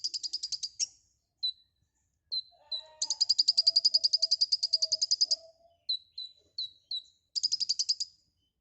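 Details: Lively 'gacor full isian' song from a white-rumped shama: rapid chattering runs interspersed with short falling whistles, with faint lower wavering tones in the background.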